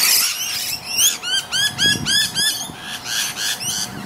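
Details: Musk lorikeets in an ironbark tree on the east coast of NSW, Australia, with noisy rainbow lorikeets also calling, give rapid, shrill, rasping screeches, about three each second, with several birds overlapping over a low background rumble.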